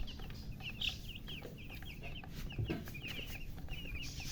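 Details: Just-born chicks peeping in a busy chorus: short, high, down-slurred chirps come in quick clusters, over a loud low drone and sporadic clicks.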